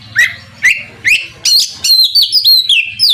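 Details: Oriental magpie-robin song intended to provoke a rival to respond: three loud rising whistles about half a second apart, then a quick series of sweet downslurred whistled notes.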